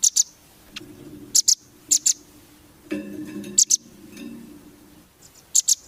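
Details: Rambatan, the velvet-fronted nuthatch, in tutoring song for competition birds: spaced pairs of sharp, high chips over a low murmuring background, with gaps of about a second between pairs.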